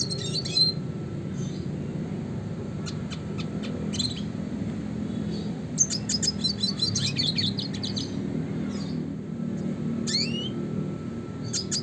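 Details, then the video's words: Red siskin, classic song for training contest birds: isolated sharp high ticks build into a dense, rapid twittering burst, then more spaced chirps and quick upward-sweeping whistles over a faint low hum. "kicauan suara burung red siskin klasik gacor"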